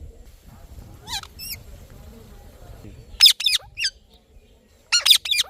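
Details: Chirping Indian ringneck parrot: short, high, twisting notes in small clusters, an early pair followed by two tight bursts of harsh calls later, with quiet low rumble between.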